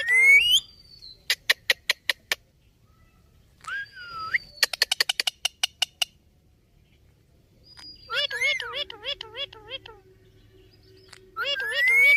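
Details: Pet Indian ringneck parakeet talking: rising whistles and a swooping call, bursts of rapid sharp clicks, then a run of wavering speech-like syllables and a final rising whistled note.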